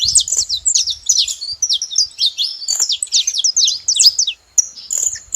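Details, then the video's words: Saffron finch calling at a feeding station: rapid high chirps and short sliding notes run together, then a near-silent gap just before the last second, followed by a thin high note. "Canário da terra fazendo barulho na seva"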